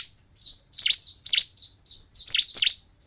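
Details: Fighting bar-winged prinia giving loud, sharp, high chirps in quick pairs and triplets, each note sweeping down and up, with short gaps between phrases.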